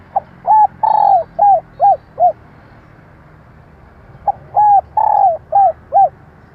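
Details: Female spotted dove cooing, used to lure males and train decoy birds: two phrases, each of two short coos, a long falling coo, then three quick arched notes, separated by about two seconds of quiet.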